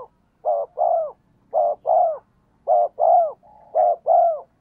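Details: Spotted dove cooing, used as a decoy to make wild birds coo back. Four evenly spaced paired coos are heard, each a brief note then a longer falling one, with a faint low hum beneath.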